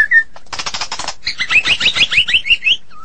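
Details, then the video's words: White-rumped shama, Medan type, singing hard: a short whistle, a fast harsh rattle, then a quick series of upslurred whistled notes ending in a lower slurred whistle. "Murai Batu Medan Super Gacor"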